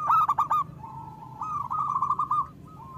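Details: Zebra dove of a local type giving lure song for other kept doves: a loud stuttered trill, a quiet held note, then a longer level trilled phrase and a final short note.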